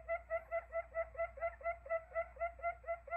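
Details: Buttonquail call used as a lure for trapping: a rapid, even series of short, nasal, harmonic notes, about four per second, in a steady rhythm against a faint low hum.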